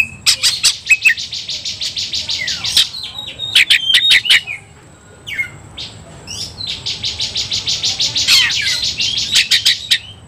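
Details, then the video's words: Provoked kacer, or Oriental magpie-robin, in fighting mood: two long buzzy rattling trills of rapidly repeated notes, separated by clicks and brief whistled slurs. "membakar emosi kacer, kacer gacor tarung ngobra"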